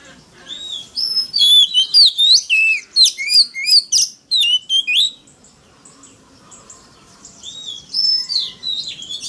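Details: Oriental magpie-robin lure song, forest-voice style, meant to rouse rival males: a burst of quick, loud whistled slurs and chips for about three seconds, then near silence, then softer whistles again near the end.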